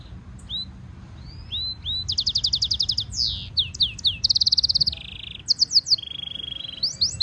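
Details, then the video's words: European goldfinch mule hybrid singing a training song: thin rising whistles give way to fast, buzzy high trills and slurred downward notes, then a steady metallic rattle, all delivered in quick bursts over faint low background hum. "European goldfinch Singing Mule -Training - Jilguero Mulo - Carduelis carduelis - Stimulation song"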